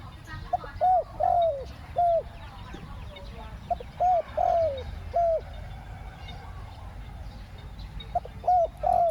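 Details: Decoy spotted dove calling to draw wild doves in the 'khu-ang' two-word style: repeated low hooting coos, a quick note then a longer slurred one, in uneven series over a quiet outdoor background.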